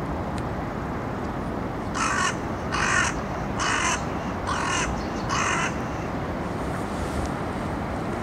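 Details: Carrion crow playing with a walnut gives five harsh caws spaced roughly a second apart, over a constant loud rumble of background noise.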